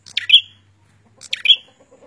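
A prinia gives a short, sharp chirping phrase of high, scratchy notes, repeated twice about a second apart, with faint low hum behind.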